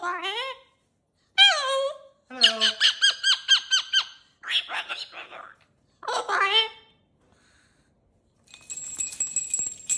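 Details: Cockatoo kept in a cage, playing with new jingly toys: rising squawks, a fast burst of chattering syllables, more mumbled talk-like calls, then a bright metallic jingling at the end.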